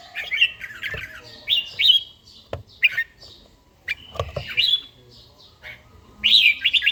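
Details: Caged red-whiskered bulbul giving morning song during daily practice: short whistled, wavering phrases separated by pauses, with occasional sharp knocks. The song closes with a loud, looping whistled run.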